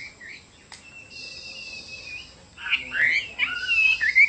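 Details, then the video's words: Chinese hwamei giving a long thin whistle followed by a burst of loud, twisting, slurred whistled notes rising to the end. "Chim họa mi đẹp và hót rất hay"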